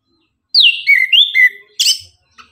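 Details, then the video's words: Orange-headed thrush giving energetic morning song as a lure to get birds singing: a descending whistled opening, linked lower slurred notes, then a burst of sharp high chirps. "Anis kembang gacor pagi hari, Pancingan naikan emosi agar Rajin bunyi"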